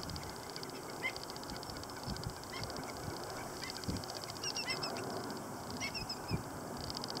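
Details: Stilt chicks at LaRiviere Marsh giving short, high, thin peeps, scattered singly and in small clusters, with a steady pulsing insect-like buzz and low thumps and honking sounds underneath.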